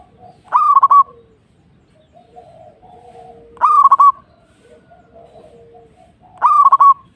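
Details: Local zebra dove from Indonesia giving three separate phrases about three seconds apart, each a sharp upward note followed by a tight bubbling run of coos, with soft lower calls between.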